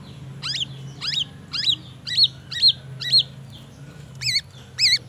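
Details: Black-naped oriole kept in a cage and filled with white-rumped shama song, heard during morning sunning: brisk upward-sweeping chips repeated about twice a second, the last notes changing to a wavy, buzzier shape. A low hum runs underneath.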